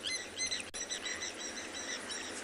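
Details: Blacksmith lapwing parents, concerned over their chick, give faint, sharp metallic tinkling clinks a few times over two seconds at a waterhole in Tswalu Kalahari Reserve, South Africa, on a late-September afternoon, against a soft insect and open-air hiss.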